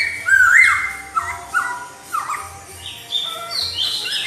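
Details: Melodious laughingthrush song that draws an answer from another laughingthrush: a strong rising-and-falling whistle, then quick drooping whistled notes repeated several times, with higher squeaky notes toward the close and a faint low hum.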